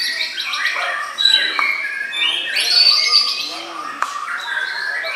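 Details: A white-rumped shama, bowing aggressively in song display, sings a rich, varied stream of whistles, chirps and harsh buzzy notes, mostly high-pitched and changing quickly, with a sharp click near the end, amid clapping and music.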